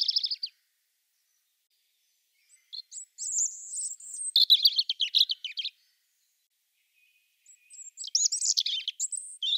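European robin singing high, thin, tinkling phrases of varied trills and warbles, separated by short pauses; no other sounds.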